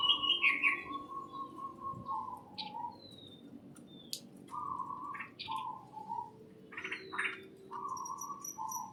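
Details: Several birds chirp inside a greenhouse, trading flat whistled notes and quick high chips, with thin slurred squeaks and sharp clicks scattered among them in an irregular chorus.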